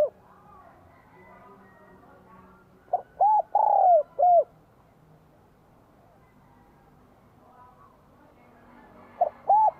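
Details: Spotted dove with a bell-like voice singing in Vietnam in spring 2023 to rouse wild doves: one soft cooing phrase with a long gliding note, then the start of another, over a faint background hiss.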